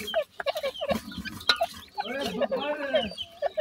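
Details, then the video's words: Francolin family with chicks at feeding time: scattered short chirps, then a run of longer harmonic, slightly wavering calls, then a few more clipped peeps. "teetar chicks feeding, teetar ki bache,partridge, francolin family"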